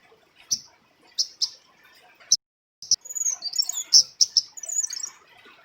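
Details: Calls of a female flowerpecker, known locally as cabai rimba, for luring birds: crisp, very high clicks spaced about half a second to a second apart, breaking into a quick, thin, jumbled twitter near the end.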